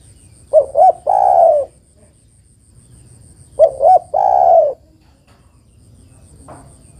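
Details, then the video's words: A female spotted dove calls the male with two full phrases about three seconds apart. Each has two quick coos and then a drawn-out, gently descending croon. "TEKUKUR BETINA MEMANGGIL JANTAN"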